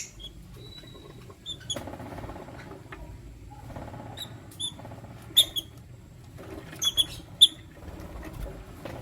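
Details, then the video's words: Lutino lovebirds, one male with two females, give sharp, thin high peeps scattered through the recording, some in quick doubled bursts, over a low indoor rumble. "Lutino Lovebird Chirping Sound - 1 Male Chooses 2 Females"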